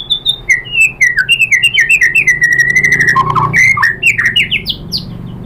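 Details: White-rumped shama singing to provoke other shamas: a fast run of clear descending whistled notes, roughly four per second, with a brief lower burst midway and rising high notes closing.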